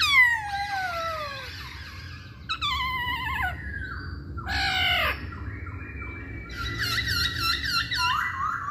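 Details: Masked laughingthrush lure song used to get other birds singing: harsh falling squawk-like slurs, stuttering descending phrases, then a rapid warbling trill ending in a rising whistle.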